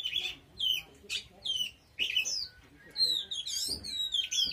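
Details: Oriental magpie-robin pouring out a varied song of clear whistles, buzzy notes and quick slurs in short phrases, with a faint thin tone underneath.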